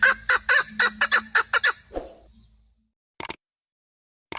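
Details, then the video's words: A chukar partridge, a bird used in hunting, gives a short burst of loud, rapid clucking notes lasting about two seconds. Silence follows, broken by two sharp clicks. "Модкабки шикори - Keklik - الحجل الطائر"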